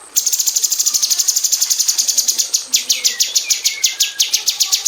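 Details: Caged female cucak cungkok bulbul in an aviary, a tutor for magpie robins, giving its close 'tembakan' burst: a steady stream of very fast, shrill, repeated notes that loosens into spaced, downward-sweeping strokes toward the end.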